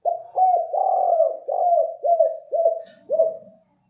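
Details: Lure recording of a spotted dove: seven throaty coos in a steady series, each with a short downward dip, a few slightly rougher notes early on, then the series trails off.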